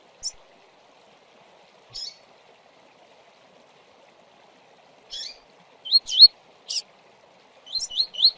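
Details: Double-collared seedeater (Sporophila caerulescens) singing the Brazilian 'Tui Tui' song style: high, thin chirped notes spaced a few seconds apart, then quicker runs of rising whistled notes toward the end, over quiet background.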